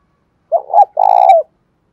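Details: Single bổi-style coo phrase of a spotted dove, played to get captive doves cooing: a short wavering double note, then a sustained throaty trembling coo falling slightly at the end.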